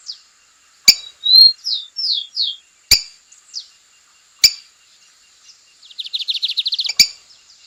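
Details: Lined seedeater singing strongly in the wild: a pure whistle, then a few downslurred notes, and after a pause a fast rattling series of high notes, broken by sharp loud clicks.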